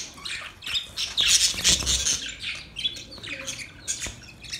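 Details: Budgerigar mating call: busy, overlapping high warbles and harsh squawks, loudest in a dense burst near the middle, then thinning into separate chirps.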